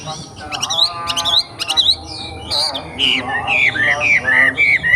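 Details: Young forest wambi giving harsh, buzzy squawks with sharp vertical notes. These give way to a series of slurred, down-curving whistles that are repeated with short gaps, over a steady background hiss.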